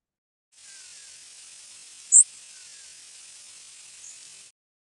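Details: Tennessee Warbler flight call slowed to half speed, a sweeter, hollow note rising more steeply at the end: one brief, very high, thin note, with a fainter second about two seconds later, over steady recording hiss.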